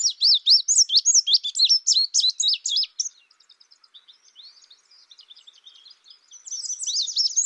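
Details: Indigo bunting calling: a loud burst of rapid, high, slurred chirps lasting about three seconds, followed by quieter background twittering and another bright burst at the end.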